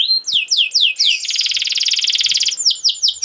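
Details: Tutoring song for young canaries, sung by a canary: a few downslurred notes, then a dense buzzy rattle lasting over a second, then downslurred notes again, with faint low thumps in the background.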